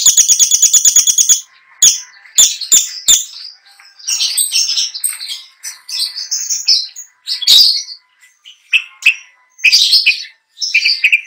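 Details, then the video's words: Long-tailed shrike, a trophy-winning contest bird, singing a mimicry-rich song. It begins with a quick rattling trill, then varied scratchy phrases, sharp clicks and twittering notes. "PENTET GACOR FULL ISIAN | LAGU MEWAH | NGEROLL NONSTOP"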